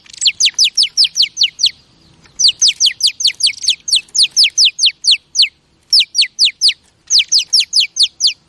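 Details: Female oriental magpie-robin sounds meant to stimulate males: long runs of sharp, high, descending notes repeated rapidly in groups of five to ten, broken by brief gaps, steady and insistent.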